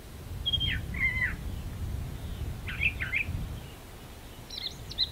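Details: Brown thrasher in a magnolia tree delivering brief, separated phrases of sharp, slurred whistled notes, some falling and some paired, with a low background rumble.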